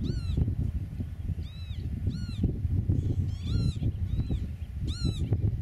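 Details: Eurasian oystercatcher on its nest, meadow setting, filmed from about 8 metres: a series of five or six loud, down-curving piping calls roughly every second, some fainter, over a persistent low rumbling background.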